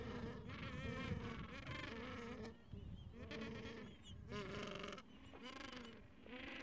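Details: Gentoo penguins with chicks about two weeks old huddling under their mother against cold wind; harsh harmonic braying calls come in several bursts with brief gaps, over steady low wind rumble.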